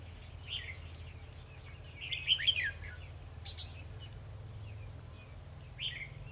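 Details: Red-whiskered bulbul decoy singing to provoke rivals while trapping, 2 December 2020: one loud tumbling warbled phrase mid-way, flanked by softer brief notes, over a steady low hum.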